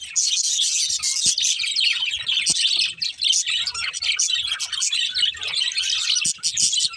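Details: Budgies chirp together in a thick, continuous high chatter of twittering notes and scratchy warbles, with frequent small clicks throughout.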